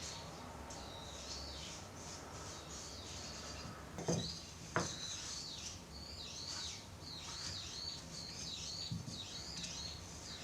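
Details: Brown-eared bulbul (Hypsipetes amaurotis), call.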